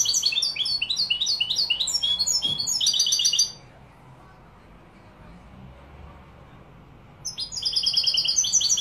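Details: Málaga-style song of a European goldfinch in Morocco: a dense, fast burst of high, tinkling chirps and buzzy trills for about three seconds, a quiet gap, then the twittering starts again.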